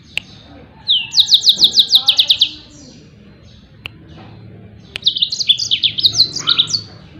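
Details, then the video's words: Yellow-fronted canary, song for training other songbirds: a loud trill of about ten fast repeated notes, a quiet gap with clicks, then a jumbled phrase of rising and falling whistles. "SUARA TEMBAKAN BURUNG MOZAMBIK || COCOK BUAT MASTERAN"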